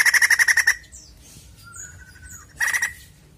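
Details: Lure recording of a white-crested laughingthrush, meant to stimulate a caged bird to sing. Fast rattling chatter cuts off, leaving faint high whistles and a level thin tone before a second short chattering burst.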